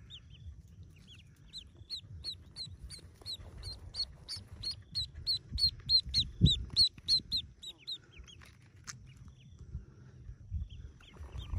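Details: About forty yellow ducklings hatching in a cave nest; steady, rapid high peeps, each a short arched whistle, repeat about three times a second, with soft thumps and rustling low down.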